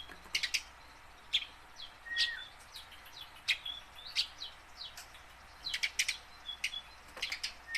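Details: Tame house sparrow practising song to draw calls from wild-caught sparrows; steady stream of chirps, some clipped, some slurred downward, with thin whistled notes weaving between.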